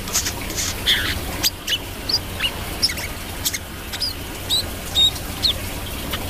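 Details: Brown-throated sunbird calling actively: short, sharp, high chirps and flicked notes, irregular, about two per second, with soft clicks and rustling in the background.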